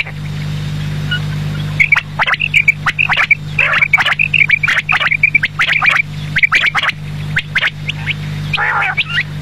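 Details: Quail calling in the evening: quick runs of bright, short notes in clusters, over dense clicking and squawky chatter, with a steady low hum throughout and a quieter stretch in the first two seconds.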